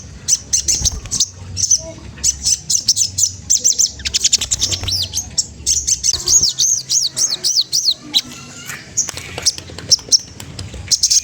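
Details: Spotted magpie-robin (sogon trotol) rival-provoking song for stimulating others to sing: long sequence of high, quick, repeated chip notes and short rising-falling whistles in rhythmic runs.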